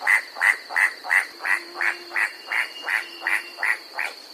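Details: White-striped Forest Rail of New Guinea's Bird's Head mid-mountain forest, clacking incessantly: about a dozen crisp, evenly repeated clacks in quick succession, a faint low tone beneath and a steady high drone in the background.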